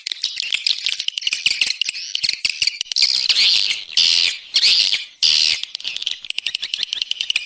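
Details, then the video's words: External swiftlet sound with rapid clicking chatter, then longer drawn-out buzzy, whistled trills in the middle before the fast chirping resumes. "Free Swiftlet External Sounds"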